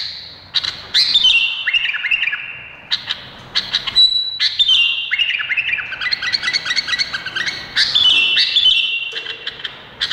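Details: Indonesian bulbul delivering bursts of varied warbling song, rising and falling whistles with trilled ends, separated by short silences, and a faint low note near the close.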